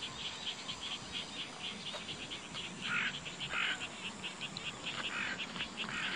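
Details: In an autumn meadow among shining tall goldenrod in 2014, male and female bull-headed shrikes trade territorial cries: quick high chatters punctuated by harsher, louder screechy bursts over a steady noisy background.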